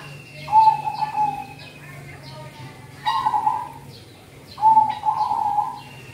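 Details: Zebra dove singing, the song played to lure birds in cold season; three rolling coo phrases roughly every two seconds, each a fluttering trill holding one pitch, over soft high chirps and a constant low hum.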